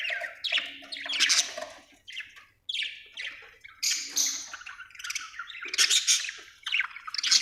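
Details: Budgie chatter made of short scratchy chirps and squawks, delivered in uneven bursts separated by brief silences.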